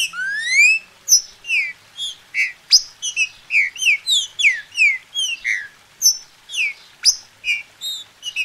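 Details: Captive green-winged saltator in Brazil, recorded to stimulate another bird to sing: a long lively string of short whistled notes, bent downward and repeated about twice a second, with occasional sharp upward sweeps.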